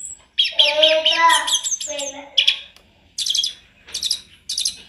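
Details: Sunda robin singing lively varied phrases: a rich warbled passage with low fluty undertones, followed by crisp high rattling bursts spaced about a second apart.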